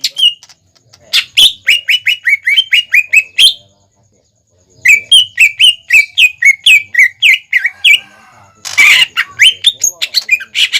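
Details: {'text': 'Greater green leafbird singing as a lure for young birds: long runs of rapid, even whistled notes about four per second, a short pause, then another run ending in a harsh rasp and chips.'}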